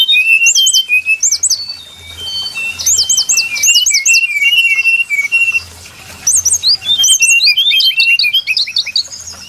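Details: Brown-chested jungle flycatcher lure sound for trapping: phrases of rapid looping high whistles separated by short pauses, repeated in bursts, with soft low hum in the background.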